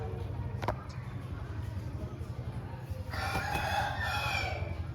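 An Aseel rooster gives a loud, harsh, drawn-out crow in the second half, over a steady low rumble with a sharp knock early on.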